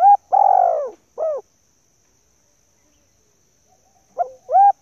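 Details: Female spotted dove call meant to attract males: the long falling coo and short final note ending one phrase, silence, then the short and rising opening notes of the next.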